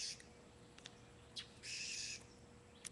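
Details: Webcam recording from a June 2009 afternoon of an angry blue jay scolding a cat: one harsh, buzzy screech of about half a second, set among scattered soft clicks and ticks over a low electrical hum.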